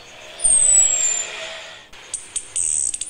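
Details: Female orange-headed thrush in breeding condition calling to a male: a thin, very high whistle sliding downward, followed by a run of short, sharp high notes.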